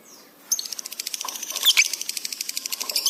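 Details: Pet lovebird tutor recording of a bird in full, excited song (gacor). After a short quiet start, rapid scratchy chirps follow in an even stream, with a few louder squeaky notes mid-way.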